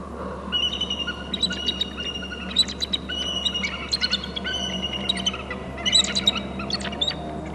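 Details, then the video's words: Two eagles at a nest territory on Hornby Island, one perched and a second landing on a branch, both calling: rapid high, thin chittering notes with bright overtones, given in overlapping bursts throughout, over a steady low hum from the nest camera. "eagle on bst and 2nd eagle in to short left branch, both are calling"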